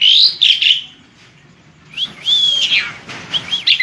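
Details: Asian pied starling, a species noted for varied song and some mimicry of human speech, delivers clear slurred whistles, rising and falling, in two phrases with a short quiet gap between them.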